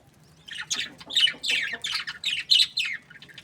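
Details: Budgie chatter in quick scratchy bursts, about eight rasping, warbled chirps in three seconds after a quiet start, with a faint low hum beneath.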